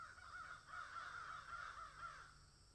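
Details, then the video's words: Crows cawing in a field, harsh hoarse calls running together almost continuously for over two seconds, then fading, with a steady faint background hum. "crows caw in field"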